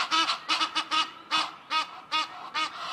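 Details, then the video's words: Egyptian geese fighting over territory on a cliff above a forest give a rapid series of harsh, hoarse, nasal honks, roughly two or three per second. "Egyptian Goose call"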